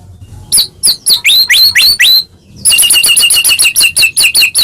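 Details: White-rumped shama in full song, used to provoke other shamas into singing; loud swooping whistles, then a rapid regular series of high sharp notes, about four per second.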